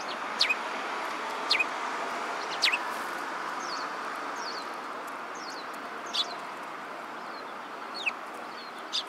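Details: Sparrows recorded on 22 February 2017: brief, sharp high chirps scattered through the clip, roughly one a second, some as quick doubled notes, over a steady background hum.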